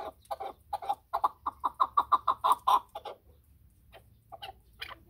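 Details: Chukar partridge calling a fast series of harsh, clucking chuk notes that grow louder and steadier and then stop. A few scattered softer notes follow in near quiet.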